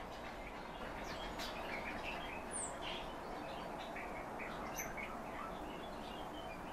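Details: A kept calandra lark sings a varied string of short chirps and slurred high notes, busiest in the first half, over a continuous low hiss.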